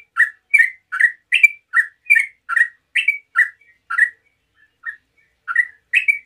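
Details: Rapid 'ngeropel' song of a Sooty-headed bulbul meant to draw answers from other bulbuls: a fast series of sharp chirped notes alternating higher and lower, a short pause near the end, then more notes.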